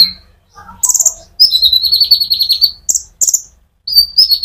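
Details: Sunbird song meant to stimulate other birds: a few soft notes, then a long rapid trill of high, buzzy chirps, followed by short sharp bursts and a closing high twitter.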